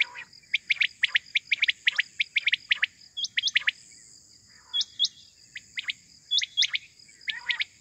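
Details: Quail morning calling, recorded for hunting: fast runs of crisp chirps, then looser groups mixed with short hooked whistles, over faint low rumble and a steady high tone.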